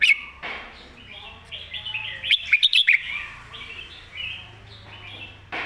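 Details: Red-whiskered bulbul master song for young birds to learn, with warbling whistled phrases and a loud run of five or six sharp chirps in the middle, set over a faint low hum.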